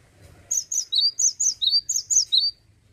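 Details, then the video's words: Male cinereous tit (gelatik batu) singing a clean, steady ngeplonk phrase series: about six bright two-note whistles, high then lower, delivered rapidly and evenly with little background. "GELATIK BATU JANTAN LAGI ONFIRE...GACOR NGEPLONK"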